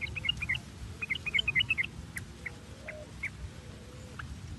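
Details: Sooty-headed bulbul (trucuk) sound used as a lure to stimulate caged birds to sing: quick bursts of short, bubbly chirping notes, then a few scattered single notes, over a low steady rumble.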